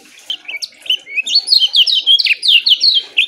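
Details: Lemon-bellied white-eye singing a short, rapid, closely packed phrase for training other caged birds: a few scattered high chirps build into a quick series of loud, steady downslurred notes.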